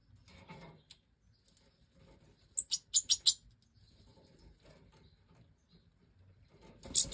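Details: Out-of-nest Major goldfinch chicks being fed by the hen, 2024 captive breeding. A rapid burst of four to five loud, high squeaky notes mid-clip and another at the end, with soft rustling between.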